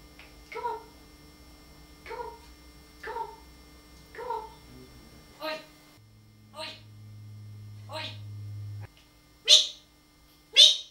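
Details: Talking parrot giving a series of short, harmonic, speech-like utterances, about one a second, with louder, sharper syllables near the end; a low steady hum runs underneath, indoors.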